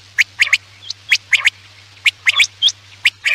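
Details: Quail lure call for night hunting: crisp snapping notes, mostly in pairs and triplets, repeated roughly once a second, with a few thin high whistles and a low hum.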